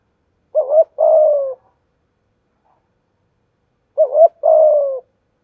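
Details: Spotted dove coo for provoking and training doves, thổ voice: two widely spaced phrases roughly 3.5 seconds apart, each a fluttering short note and a long steady coo sliding gently downward, quiet between.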